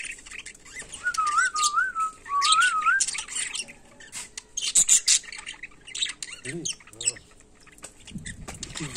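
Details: Budgerigar in daily life, giving bursts of harsh, buzzy, high-pitched chatter and scratchy squawks, broken by a person whistling a wavering, trilled tune and followed by a few low rasping notes.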